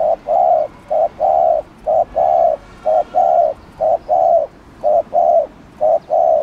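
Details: Spotted dove giving its provoking coo: loud, clear low notes in short-long pairs, repeated evenly about once a second against a quiet background.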